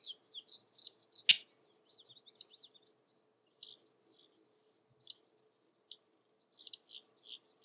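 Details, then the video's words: On a spring morning in Florida's Mallory Swamp, among spatterdock, a King Rail persistently gives short, dry kek notes, quick at first and then slower and scattered, with one loud sharp click over a low steady hum. "King Rail 'kek' Calling"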